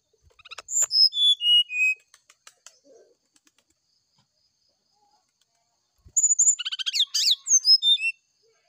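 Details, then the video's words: Brown-chested jungle flycatcher singing in the morning, a flute-like lure song to draw a reply. A phrase of descending clear whistles is followed by about four seconds of quiet, then a dense, loud jumble of high whistles and trills. "PANCINGAB SRDC NYULING DI PAGI HARI"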